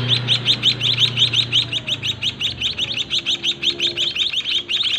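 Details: A small breeding cage holds white-headed munia young fed by their parents. Insistent high chirps run in a fast, fairly even series, roughly three each second, over a faint low droning hum.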